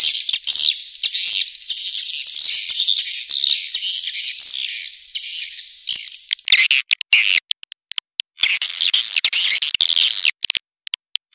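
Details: Calling sound of swiftlets used to lure the birds: a long stretch of continuous high, buzzy twittering, then broken into choppy bursts with short silences and clicks.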